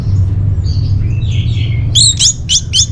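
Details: Orange-headed thrush song played as a lure and tutor for caged birds: soft slurred warbling, then four quick downswept whistled notes repeated about every quarter second, with a constant low rumble behind.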